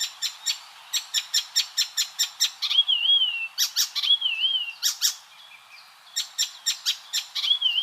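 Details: Icterine warbler song: series of sharp, evenly spaced high chirps broken by warbling wavy whistles, the chirp runs and whistles alternating several times.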